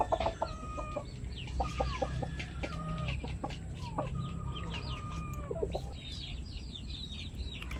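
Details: Pet chicken flock with new members: drawn-out, level, nasal calls held for about a second each, repeated several times, over busy high chirping and scattered short clucks, with a constant low hum underneath.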